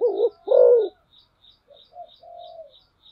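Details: Decoy spotted dove with one loud low two-part coo, a brief note then a longer swelling one, followed by a few soft, quiet notes and faint high ticking.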